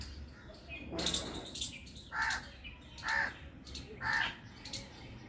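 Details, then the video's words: Black Drongo calling in harsh, grating bursts about once a second, three clear rasping notes following an early broad noisy burst, with light background hiss throughout. "Sound of Black Drongo"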